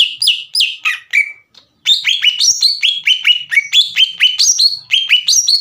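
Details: Energetic cucak ijo (green leafbird) song used to rile up rival birds: a few falling whistles, a brief pause, then a quick run of bright, high, slurred notes alternating up and down in pitch.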